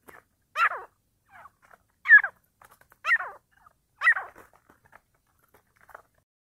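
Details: A partridge during a fight gives four harsh, rasping bursts roughly once a second, with faint scratchy notes between them and little else in the background.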